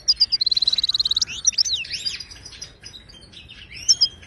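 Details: Wild Moroccan goldfinch song in the Widani style, played to tutor caged birds: a fast, even buzzy trill of about fifteen notes, then tumbling twitters, slurred rising and falling whistles, and a final sharp chirp.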